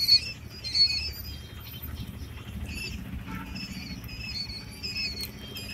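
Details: Quail chicks eight days old peep in sharp, high whistled notes, some sliding slightly, repeated irregularly over a low continuous hum.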